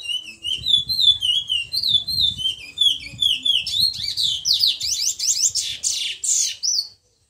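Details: Eurasian magpie singing a series of high, slurred whistles that gradually climb in pitch, leading into a loud, rapid, rattling chatter of high notes near the end.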